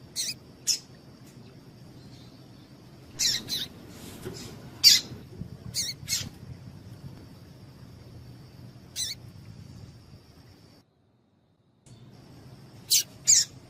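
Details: A female Double-collared Seedeater, known as coleiro tui-tui, calls to stimulate a male: irregular bursts of sharp high chips, some doubled, a silent gap near the end, and a thin constant high-pitched tone in the background.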